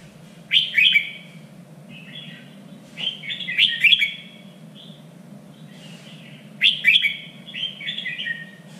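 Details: Red-whiskered bulbul, a contest bird in training, singing in the standard three-region style: three loud, bright, warbled phrases spaced about three seconds apart, each a quick cluster of sharp notes with softer trailing whistles, over a steady low hum.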